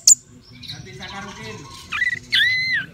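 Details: Orange-headed thrush at a bird-singing contest gives two loud, rich whistled phrases that bend and slur, after a sharp click and softer warbling, with a low background murmur; Orange-headed thrush.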